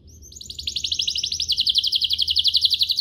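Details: Canary song played to make other canaries sing; a steady, very rapid trill of about four notes per second, rising in loudness and continuing evenly throughout.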